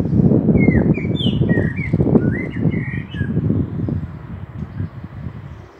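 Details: Singing common blackbird, Meschede, Germany, 18 May 2021, fieldfare pair present: a run of rich, looping flute-like phrases rising and falling, topped by brief squeaky notes, over heavy low rumbling noise.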